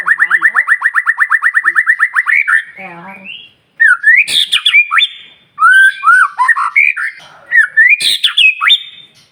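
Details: White-rumped shama song used to provoke rival shamas: a fast rattling trill of about twenty repeated notes, a harsh burst, then loud rising whistled phrases with sharp clicks, delivered in bursts separated by brief pauses.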